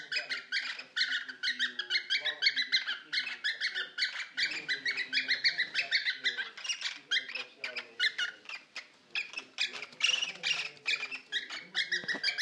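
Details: Caged pet male cockatiel, about a year old, singing heavily while courting and mating with a female three years older. Dense, rapid, harsh chattering and squawky whistled notes pour out almost without pause, with a faint low murmur beneath.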